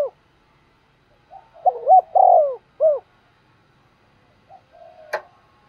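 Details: A spotted dove coos to provoke wild doves. One clear phrase: two short notes, a long rolling coo and a separate final note. It is followed by a soft, quieter coo and a sharp click.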